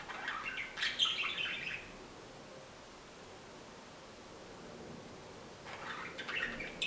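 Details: A budgerigar sings while a second budgie sleeps, giving soft chattering warbles in two bursts, high and scratchy with quick chirps.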